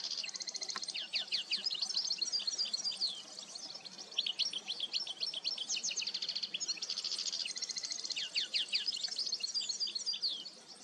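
European goldfinch giving a fast, tinkling twitter of high, liquid notes and buzzy trills, running almost without break with one brief pause.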